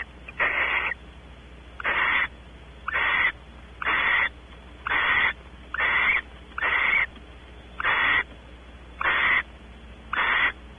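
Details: In a nest cavity at Audubon Starr Ranch, California, a pair of barn owls: the male explores, the female awaits mating. A steady series of breathy, rasping screeches, about ten in eleven seconds, fairly evenly spaced.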